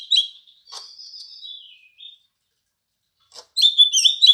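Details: Green leafbird imitating house sparrow: short sharp notes and a drawn-out, falling high whistle, a pause, then a lively warbled phrase of quick chirps.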